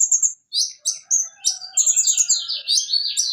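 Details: Van Hasselt's sunbird (konin) used as a training recording for songbirds, singing a busy, high jumble of short thin chirps and sharp rapid trills with quick rising and falling notes, a faint lower whistle running beneath.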